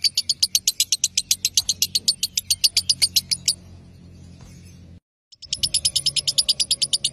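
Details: Lovebird ngekek song meant to spur rivals into singing: a fast high chattering trill for three and a half seconds, a quiet gap, then the rapid notes start again.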